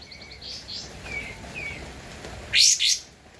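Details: Javan white-eye, a lively singer, recorded as an original master track for training cage birds: soft slurred whistles, then two loud rasping bursts near the end.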